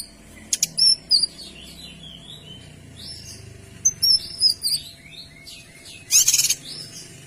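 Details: Kinoy in full song, delivering dense, clear 'tembakan' bursts used for tutoring other songbirds: thin high chirps and quick downslurred whistles in two tight clusters, then a sharp buzzy burst near the end, over quiet background hum.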